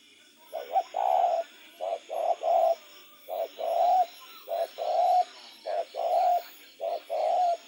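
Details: Spotted dove calling at night: low, hollow cooing notes in grouped phrases, a short note followed by longer drawn-out coos, repeated across the recording against a faint steady high-pitched background hum.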